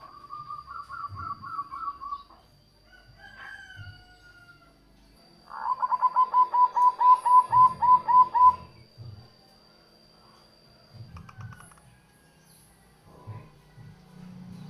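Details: Local Indonesian zebra dove song, played as a lure for wild doves and to prompt reluctant caged doves to sing: a run of quick, high cooing notes, a pause, then a longer, louder stuttering series of about a dozen notes, over soft low thumps.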